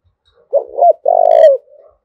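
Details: Spotted dove cooing call, used to train decoy birds and stimulate males. One loud phrase: two hoarse short notes, then a long, pulsing, purring coo that falls slightly. A brief higher tone overlaps it, and a soft murmur follows.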